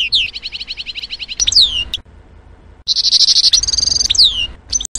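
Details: European goldfinch at a garden feeder: quick run of high chirps ending in a downslurred whistle, a short near-silent gap, then a buzzy rattling trill and further slurred notes, with faint low background rumble.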